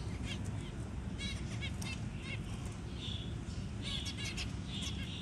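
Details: Newly hatched zebra finch chick being fed by a parent; clusters of quick stacked chirps and a couple of drawn-out buzzy notes, with a steady low rumble beneath.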